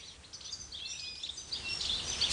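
A goldfinch gives quick, high, tinkling twitters that grow louder toward the end, over a steady background hiss.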